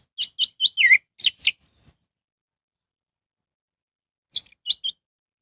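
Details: Orange-headed thrush singing as a lure to make others of its kind answer: a rapid two-second run of varied chirps, a dipping slur and a high drawn-out whistle, then after a long silence a short three-note phrase.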